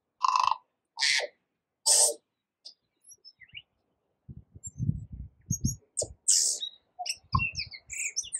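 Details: A tui sings among yellow kōwhai blossoms in New Zealand: three harsh, wheezy notes, then soft clicks and high, twangy whistles, with low thumping rumbles under the second half.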